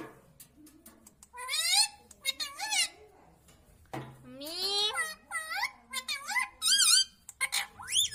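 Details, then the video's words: Pet green ringneck parrot talking indoors, mimicking speech such as "mitthu mitthu" and "mummy": high, harmonic, wavering word-like phrases in short bursts, with a quieter human voice in the background. "Talking parrot - Mitthu mitthu - Mummy Bolne Wala Tota"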